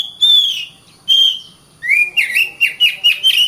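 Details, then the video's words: Oriental magpie-robin song meant as a training model for other birds: two separate whistled notes, then a rising swoop leading into a quick series of repeated twisting whistles. "Burung Kacer"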